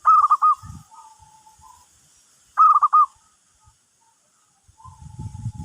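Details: Zebra dove giving its luring call to attract other birds. Two rapid, rolling trilled coo phrases are about two and a half seconds apart, with soft lower notes between them and rumbling noise at the end.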